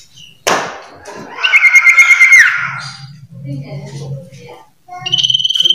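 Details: Vigorous varied song of a common iora: a sharp click, then a sustained pulsing whistle falling at its close, quieter mixed notes, and a second bright vibrating whistle starting near the end, with a low hum throughout.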